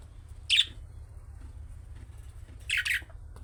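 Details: Budgerigar calls in the chick-style calling manner said to make pet budgies answer: two short, harsh, squawky chirps about two seconds apart, the second a slightly longer double note, over a steady low electrical hum.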